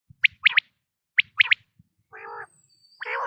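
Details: A Common Quail (Coturnix coturnix) gives its autumn call: a liquid three-note 'wet-my-lips' phrase twice, about a second apart, followed by a lower, buzzy, nasal sound.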